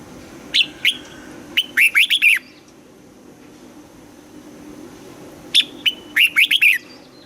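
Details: Caged red-whiskered bulbul being trained to sing in the morning, delivering clear whistled phrases: a sharp note, a short whistle, then a quick run of four rising-falling warbled notes, repeated twice with pauses; faint low hum behind.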